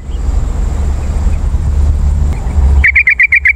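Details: Yellow-vented bulbul lure call for wild birds: after about three seconds of low rumble, a rapid run of about six bright chattering notes ends the recording.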